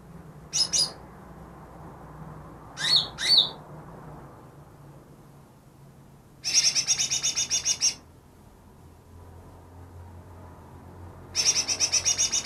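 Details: Greater green leafbird, freshly captured and said to mimic ten other birds, gives scattered sharp single and paired notes, then two separate bursts of quick, evenly spaced high chattering notes, each about a second and a half long.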